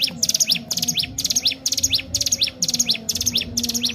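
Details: Sunda warbler, described as singing vigorously, used as a lure bird to stimulate other birds: high, rapid chirping phrases with rising and falling sweeps, repeated about twice a second, over a low steady hum.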